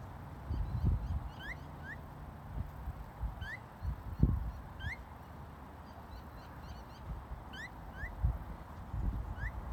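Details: Soft chatter from a Phainopepla couple, a lighter female and a dark male, at the Rillito River, Tucson, Arizona, in rain: about nine brief upward-slurred whistles scattered irregularly, with low rumbling noise and thumps beneath.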